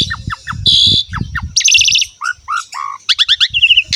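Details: Varied Asian pied starling song meant to prompt young birds to sing: short downslurred whistles, a loud grating rasp, rising and falling whistled notes, and closing quick high chattering notes.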